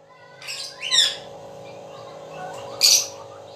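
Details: Black francolin (kala teetar) calling at night: three harsh, scratchy broadband notes, two close together near the start and a loud one about two seconds later, over a steady low hum.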